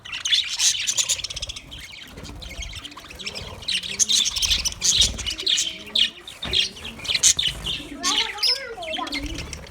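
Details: Budgerigars chirping over their food: busy, overlapping high twitters and squawks throughout, with some softer, lower warbling notes toward the end.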